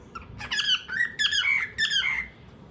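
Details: Cockatiel indoors singing a broken series of squeaky, warbled notes, some sliding down and others rising, in four or five bursts over two seconds against a soft room hum.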